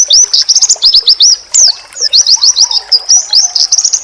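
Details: Oriental white-eye masteran, claimed to make rivals respond instantly: rapid strings of high, looping chirps and trills, a brief gap near mid-clip, and a faint lower hum running beneath the second half.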